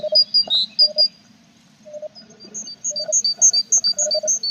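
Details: Tits at a nestbox with feathering chicks, 21 April; high paired whistles and lower chirps, a short pause, then a quicker run of bright high notes, over a soft low hum.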